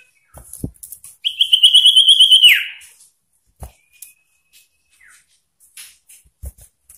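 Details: Common iora singing to provoke rival birds: one loud, evenly pulsed whistle held for over a second and ending in a sharp downward slur, then soft short notes and faint clicks.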